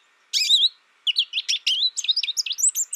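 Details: An American goldfinch calls: a sweeping, slurred note, then a quick run of bright, high twittering notes in varied pitch, against a quiet background.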